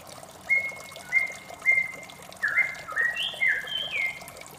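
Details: Morning song of a white-rumped shama: three level whistles spaced half a second apart, then a run of twisting, sliding whistled notes, over soft steady hiss.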